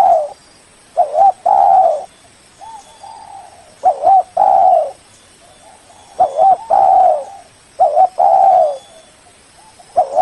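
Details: Lure call of a spotted dove used to call a rival: repeated phrases of low, mellow cooing. Each phrase has quick double notes, then a long rolling coo, with a faint constant high whine behind.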